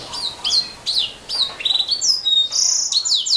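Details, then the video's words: Canary singing a varied, high-pitched song of sweeping whistled notes that drop and rise, delivered in short bursts about every half second, then flowing into clear sustained whistles and fast trilled phrases near the end. "Kicau Burung Kenari"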